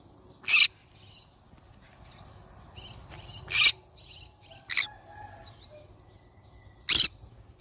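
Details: Yellow-sided conure parrot uttering single harsh, noisy screeches at uneven intervals of one to two seconds, with faint scratchy chatter in the quiet gaps between calls.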